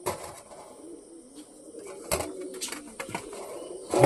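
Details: Domestic pigeons kept in a loft in India coo while their keeper readies grit for the sick birds; low rolling coos continue throughout, broken by sharp clicks and clatter near the middle and end.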